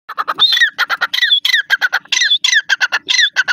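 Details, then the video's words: Grey francolin, called irani gora teetar, giving a loud, harsh, rapidly repeated series of grating notes, about eight per second, some with a brief whistled upper tone, in a continuous rhythmic burst outdoors. "irani gora teetar ka boli, teter awaz, teetar, partridge bird voice"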